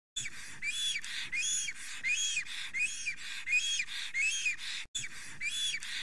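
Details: Male black stork, Estonia, 30 April 2020, singing with great excitement at the nest while a female passes. A string of hissy, whistling notes, each rising and falling, with a brief break partway through.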